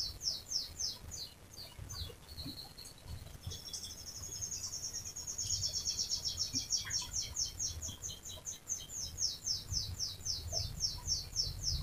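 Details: Long rolling canary song meant to coax other canaries into singing: bursts of fast, high, evenly spaced notes, a brief sustained whistle, then a quick rolling trill to the end, over faint low hum.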